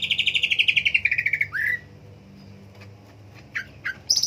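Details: Green leafbird song: a quick buzzy trill sliding steadily downward for a second and a half, a rising whistled slur, a quiet gap, two downslurred notes, then a high rapid trill; faint hum behind.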